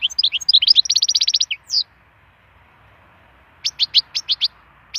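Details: Melodious song of a wild European goldfinch: a rapid rattling trill of bright notes, a brief pause, then a measured series of six crisp chirps.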